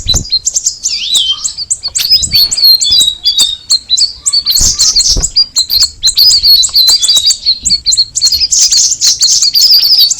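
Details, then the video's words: Straw-headed bulbul, locally called cucak rawis, in a long unbroken stream of high chirps, trills and whistled slurs, one lower swooping note early on, with occasional faint thuds. "the alluring sound of the cucak rawis bird"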